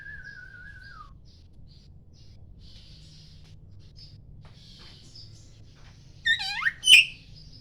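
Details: Oriental magpie-robin of the poci variety singing in the morning as a lure for other magpie-robins: an opening wavering whistle falling away, faint high twitters, then a rapid run of descending sweeps capped by a sharp crack.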